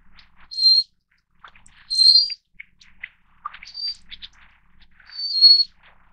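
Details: Little Forktail (subspecies Enicurus scouleri fortis) giving four thin, high, piercing notes about every one and a half seconds, with softer scattered chips and ticks between them.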